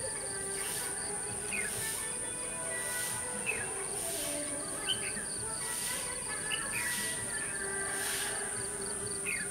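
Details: Decoy red-whiskered bulbul singing during a bulbul trapping session on 21 November 2015: brief rising whistled notes repeated every second or two, set against a loud continuous high insect whine, rhythmic insect pulses and faint low tones.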